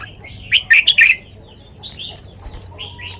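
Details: Red-whiskered bulbul kept as a cage bird, singing in the sweet lak wai manner: one loud, quick phrase of rich warbled notes, followed by softer scattered whistles.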